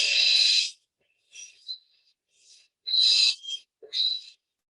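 A barn owl hisses in harsh, breathy bursts, each lasting under a second, with short silent gaps and a faint whistled edge.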